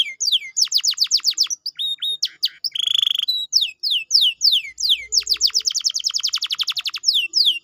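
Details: Stimulating canary song meant to get a quiet canary singing: varied rapid whistled phrases with descending sweeps, a short buzzy rattle, and a long fast trill of sharp notes near the end.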